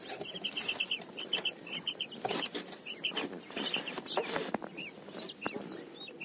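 Quail give quick runs of short, high chirping notes, several to a second. Wing flutters and scuffling noises break in throughout.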